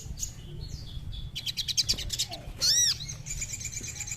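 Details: Crimson sunbird song aimed at a caged bird: scattered high chirps, a quick run of ticking notes, then a loud arched whistle followed by a thin high buzzy trill, over low hum.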